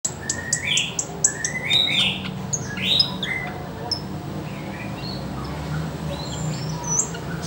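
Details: Sooty-headed bulbul song of short, bright downslurred whistles near the middle of the range, given in quick irregular bursts, with high thin chirps and a low steady hum beneath.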